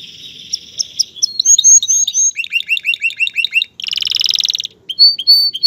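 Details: Male canary singing to get a female ready to mate and build a nest: varied whistles, a run of repeated hooked chirps, a dense buzzy trill, then clear high whistled notes.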